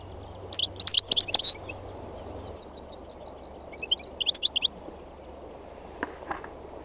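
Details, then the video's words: Spring-day song of a three-year-old North African goldfinch in the Tunisian north-west mountains: a quick burst of bright, bubbly twittering, a softer second run of chirps, then quiet with light hiss. "My wild goldfinch singing تغريد مقنين خلوي"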